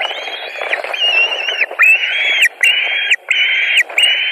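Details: White-tailed eagles at a nest in Latvia on 26 June 2019, during feeding as a fish is taken over and eaten; a series of drawn-out, steady whistled notes with a quick rising start, about six in four seconds, with faint clicks between.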